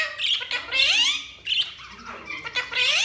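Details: Budgerigar chirping: bright warbling chatter with rising and falling whistled notes and harsh squawky bursts, several overlapping phrases in quick succession.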